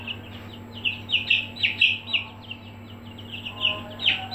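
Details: Aseel chicks in their brooder give clear, shrill peeps about twice a second, each short and slightly descending, over a faint hum.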